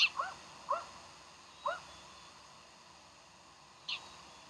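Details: Bald eagle calling at Decorah, morning of 15 January 2012: sharp, high, upward-flicking chirps spaced unevenly, with a brief shrill squeak near the start and another near the end.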